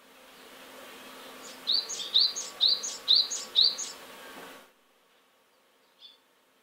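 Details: A great tit near its nest box sings five quick, bright two-note phrases about twice a second over a steady background hiss, then one faint note after a pause; it seems to be trying to drive sparrows from its territory.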